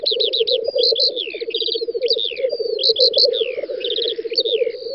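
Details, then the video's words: Lekking black grouse in a Russian spring field, May 2019, keep up a dense, pulsating bubbling chorus. A brief harsh hiss sounds midway, and loud trilled and whistled songbird phrases are layered on top. "Тетерев-косач токует"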